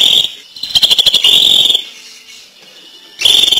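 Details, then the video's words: Greater green leafbird singing intensely: loud, dense bursts of rapid chattering and whistled notes around a high pitch band, separated by a short quiet gap, with strong clicking pulses mixed in. "Suara Cucak Ijo JAWARA, ngentrok sampai teler"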